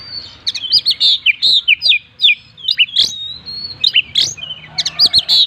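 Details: Oriental magpie-robin delivering gacor full-isian song, a packed sequence of short sharp whistles, chips and upslurred notes repeated in quick succession, with a steady low hum behind.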